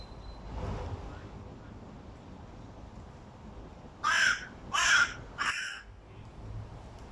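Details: Hooded crow, a young male whose voice is breaking, in August 2022: after a few quiet seconds, three loud, raspy caws follow in quick succession, rough and broken-sounding, the last one shorter.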